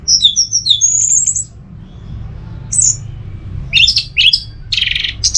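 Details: Kept orange-headed thrush from Singaraja, Bali, opening with a cascade of high falling whistles, a pause, then loud buzzy chirps and a scratchy rattling burst.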